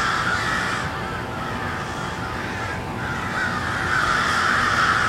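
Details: Crows gathered at cold twilight in Westport, Kansas City, giving a thick overlapping cawing chorus that eases slightly mid-way, then swells louder again toward the end.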